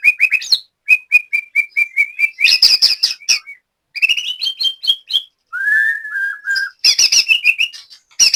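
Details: Caged white-rumped shama from Banyumas, Central Java, singing a varied, loud song: rapid repeated whistled notes, harsh buzzy bursts, rising slurs and a lower drawn-out whistle, all in quick succession.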